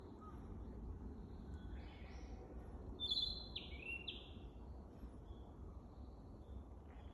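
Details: Narcissus flycatcher at Teganuma, 12 May 2023, singing a still-unpolished practice song: one short phrase of clear whistled notes, then stepped, sliding high notes, over steady low rumbling background noise.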